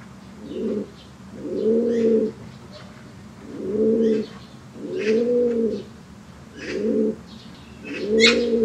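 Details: A white fancy pigeon standing on one leg gives low, throaty rolling coos, about six bursts spaced a second or so apart, with faint high chirps of small birds behind.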